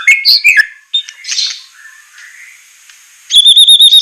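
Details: White-rumped shama in a training recording for captive birds, semelet style with rough bursts: scratchy twittering and a few soft, low phrases, then a sudden fast series of high, ringing, evenly spaced notes.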